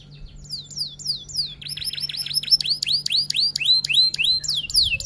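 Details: F1 canary in full song, in a long-duration tutoring recording with rolls and 'tembak' shots: repeated clear downslurred whistles, then a rapid run of falling notes, about three per second, growing louder.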